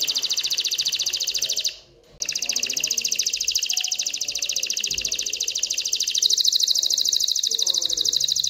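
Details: Canary singing excitedly to stimulate females to mate and build a nest: an almost unbroken fast high trill with a short gap, shifting slightly in tone near the end; faint low background sounds.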